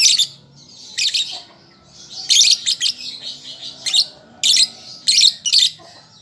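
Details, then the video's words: Young lovebird practising its song, giving loud high chattering chirp bursts between softer continuous twittering, the bursts roughly every half second to second, over a faint background hum. "Pancingan Lovebird Paud Belajar Bunyi"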